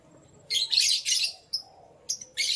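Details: Morning chirping from canaries: loud, rapid, high-pitched bursts packed closely together at first, then shorter separated chirps with one thin whistled note in between. No other clear sounds are present.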